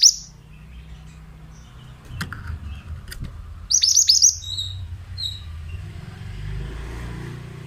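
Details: Oriental magpie-robin, male mountain type: two sharp clicks, then a quick high trill of falling notes followed by a brief softer twitter, with low background hum throughout.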